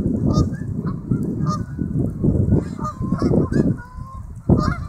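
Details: Geese honking as two groups approach and land one after another on a lake, heard on a built-in camera; repeated low honks overlap throughout with splashing and rushing noise beneath.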